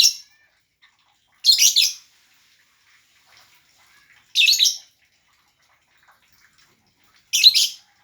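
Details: Lovebird producing three loud, harsh, high-pitched screeches spaced about three seconds apart, with silence between them.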